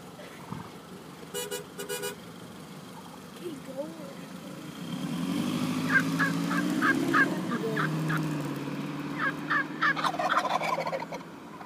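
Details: Turkeys gobbling in quick rattling bursts around six to seven seconds and again near ten seconds, with a low droning hum underneath in the middle and softer calls earlier.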